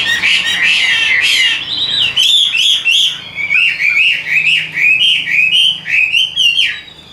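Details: Caged hwamei with yellow legs and bill, pouring out a continuous song of bright whistles and rapid slurred notes, with repeated downward swoops and brief buzzy bursts.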